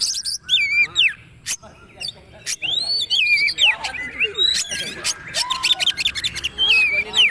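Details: Magpie-robin training song: clear looping whistles that rise and then drop, alternating with dry clicks and rasping bursts, together with faint lower chattering notes.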